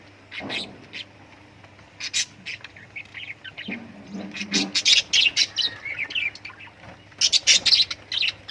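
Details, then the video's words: Several lovebirds chatter continuously with dense high chirps, squeaks and rasping notes, growing busier toward the end. "love birds singing sounds"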